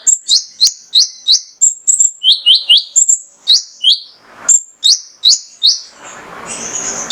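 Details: Lure song of a male mangrove whistler meant to make other birds sing: quick run of bright upslurred whistles, grouped in pairs and triplets at high and middle pitch, ending with a rushing noise.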